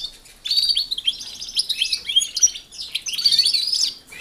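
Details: European goldfinches in an aviary shared with canaries, put there to exercise and get used to the canaries before pairing; a rapid, tinkling twittered song of quick high notes in two bursts, split by a short pause midway.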